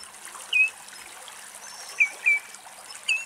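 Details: Common redshank (Tringa totanus) in Greece sings in a duet with an unseen second redshank answering: four short, clear whistled notes dipping slightly in pitch, spaced irregularly over three seconds, against trickling water.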